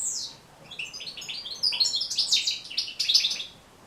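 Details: European goldfinch song, a recording for teaching goldfinches to sing; a short opening twitter, a pause, then a lively, loud stream of high tinkling notes and rapid trills.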